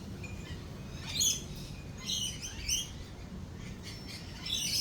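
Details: During rolling thunder, lorikeets give sporadic piercing squawks and short shrill chirps, spaced about a second apart, over a low, steady rumble.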